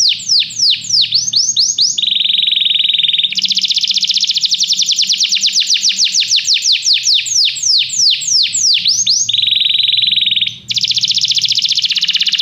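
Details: Training song for a canary, meant to make a pet canary sing: slow falling sweeps, then a low buzzy rolling trill, long fast chattering runs of sweeping notes, another rolling tour, clear and continuous.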